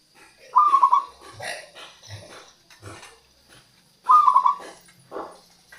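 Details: Local zebra dove used as a lure for wild doves: two brief rolling coo phrases about three and a half seconds apart, interspersed with scattered rustling and knocking noises.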